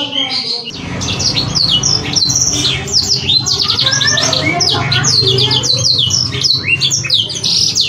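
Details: Canary song meant to rouse young canaries into singing. Lively high chirps and swooping whistles over a loud, steady low hum and background noise.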